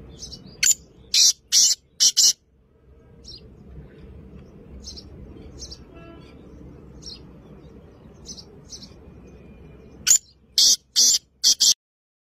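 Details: Black francolin, recorded 2 January 2024, giving loud, scratchy high bursts in a quick cluster, then fainter scattered notes over a low background rumble, then another loud cluster of harsh grating notes.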